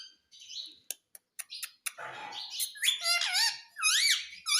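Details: Indian ringneck parrot talking, said to say "mummy": short clicks and faint chirps, a breathy burst, then a string of high, wavy, harmonic squeaks rising and falling like spoken words.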